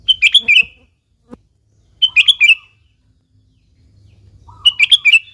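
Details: A sooty-headed bulbul sings, used to lure other bulbuls into singing. Three quick, bubbly phrases of several warbled notes sound about two seconds apart, with a faint click and low hum between.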